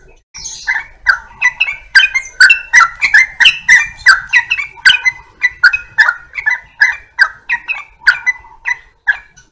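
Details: Yellow-vented bulbul singing a lively, continuous run of bubbly, warbled notes, about three per second, with short liquid phrases that rise and fall, in a quiet setting.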